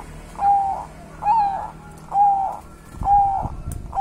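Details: Local wild Javanese zebra dove singing soft, mellow cooing notes, each a brief level whistle with a burry edge, repeated roughly once a second over faint background noise.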